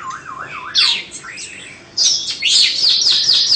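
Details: Two-season caged Oriental magpie-robin of Indonesian origin opens with a low wavy warble, then gives loud high whistled sweeps and a fast series of bright rising-falling notes.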